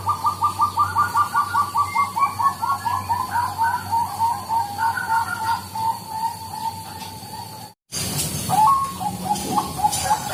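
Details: Bangkok-type zebra dove lure sound: a rapid staccato string of clear cooing notes that slows and softens over several seconds, then an abrupt cut to another brief run of similar notes.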